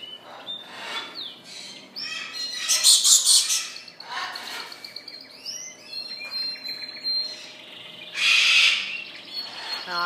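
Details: Belgian canaries singing in a bird shop on March 10, 2014: high, quick twittering phrases with short trills and slurred whistles, mixed with harsh squawks from other cage birds and a few spoken words.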